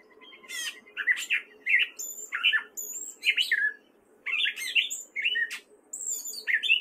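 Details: A male Gray Catbird in spring in Fairfield, Iowa, sings a jumbled, halting run of squeaky, scratchy and whistled phrases, each different, over a faint low hum.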